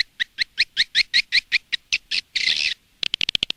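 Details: Indonesian swiftlet lure call for attracting edible-nest swiftlets to a nest house: evenly spaced twittering chirps about five per second, a short harsh buzzy burst, then a fast run of clicks.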